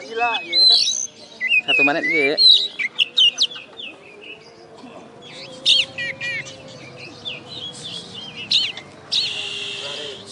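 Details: First-place oriental magpie-robin in a West Kalimantan singing contest, caged. Busy whistles and harsh notes in the first seconds give way to quieter gaps and brief trills, then a burst of hissing noise at the end.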